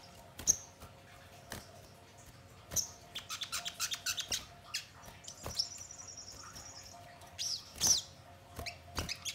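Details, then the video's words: Sogon song used as a lure to make birds quickly sing and answer: sparse, thin, high chirps and sharp ticks, with a short, fast, even trill in the middle, over a steady low electrical hum. "Pancingan Sogon Bahan Agar Cepat Bunyi Gacor dan Langsung Respon Nyaut"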